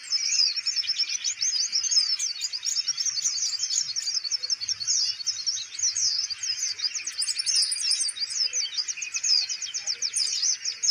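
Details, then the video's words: Kolibri ninja sunbird in a cage that is being held, still singing steadily: a continuous rapid stream of high, sharp chirps and buzzy trills, with a brief higher squeaky phrase near the end. "konin mental bagus,kandang dipegang tetap bunyi"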